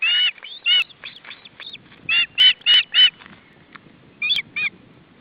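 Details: Osprey at the nest, July 2012, with fish delivered for supper: sharp, high whistled yelps, several loud ones in a quick row, then softer notes and a final pair, over faint background rustle.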